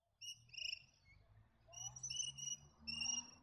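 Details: A Noisy Miner near Lake Apex, Gatton, in the Lockyer Valley gives its alarm call, harsh, high, scratchy notes in three bursts over about three seconds, warning of a bird of prey nearby.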